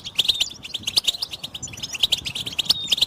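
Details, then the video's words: Goldfinch chattering track for stimulating singing: lively high-pitched twittering with sharp bright chirps, dense and unbroken. "بتبتة الحسون تحفيز الحسون على التغريد والهيجان علاج صمت الحسون goldfinch stimulation"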